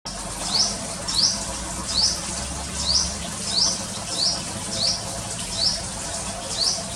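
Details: Sunbird, a small bird with a clear voice, at a bird-watching house. It gives sharp, high, down-slurred chirps repeated about every 0.7 seconds in a steady series over a constant soft hiss.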